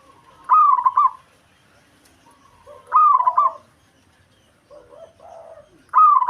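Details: Local Javanese zebra dove singing to provoke a rival: three loud trilled coo phrases, with softer, lower-pitched cooing notes in the gaps between them.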